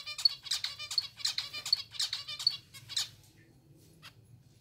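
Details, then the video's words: Hand-fed zebra finches begging for food: rapid rasping, buzzy chirps repeated in a dense burst for about three seconds, then fading to a few faint calls over a steady low hum. "Hungry Zebra Finches || Hand feeding zebra finches"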